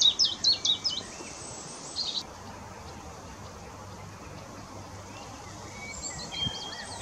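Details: Mixed-singing willow warbler at Whitlingham, 2 May 2017: a short, high, rapid run of sweet descending notes over about two seconds, then steady background hiss, with faint high notes returning near the end.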